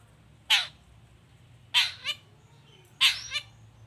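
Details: Long-tailed shrike calls used as a lure to make other shrikes answer: three harsh, broadband bursts spaced over a second apart, the last two each followed by a shorter second note, over quiet background.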